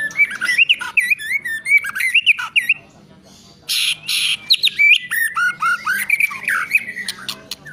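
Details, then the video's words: White-rumped shama song: rapid sweeping whistles and sharp upslurred notes mixed with harsh squawking bursts, with a brief quieter gap midway before the varied phrases resume. "Lagu & Gaya Keren Murai Batu"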